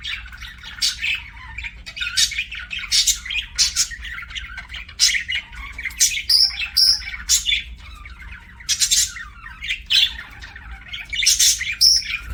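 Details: Pet budgerigar chatter: steady stream of short scratchy chirps and clicks, interspersed with brighter squeaky whistles and occasional harsh squawks, going on for over ten seconds.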